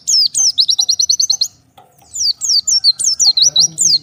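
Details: Oriental white-eye calling to companions after becoming separated from the flock: a fast string of even, high-pitched upslurred chirps, a brief silence, then a jumble of sharp descending notes, with faint low background murmur.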